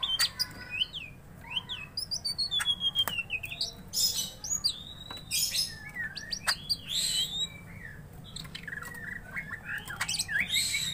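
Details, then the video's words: Greater green leafbird singing energetically while provoked to fight: a rich, rapid series of varied whistles, slurred notes and chirps, nearly continuous, with occasional clicks and faint low hum. "Cucak Ijo Gacor Tarung"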